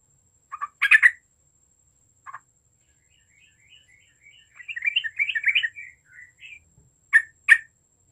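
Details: Yellow-vented bulbul singing vigorously, used to provoke group chattering song: a few loud gurgling notes, then a quicker run of soft warbled, rising and falling notes, ending with two sharp bubbly calls; faint constant high tone behind.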